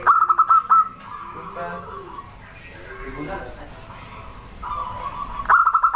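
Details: Zebra dove of local wild stock in lively song, opening with a quick run of sharp, ringing staccato notes, then a long soft stretch of low rolling sounds before the bright notes return at the end.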